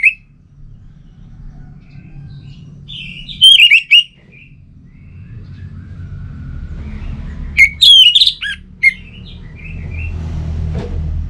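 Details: Orange-headed thrush song used to coax a bird at home into singing: two short clusters of sharp, rising and falling whistles several seconds apart, with low background rumble between them.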